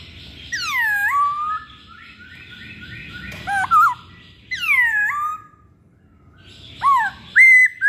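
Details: Masked laughingthrush singing loud downslurred whistles with strong harmonics, then long level notes, a short twisting phrase and a few sharp rising whistles near the end.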